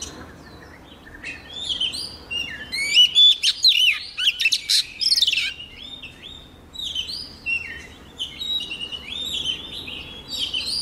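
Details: Oriental magpie-robin, a female, singing to spur males into song: a rich, continuous flow of whistled phrases, rising and falling slurs and clicky chips, loudest midway, over a low background hiss.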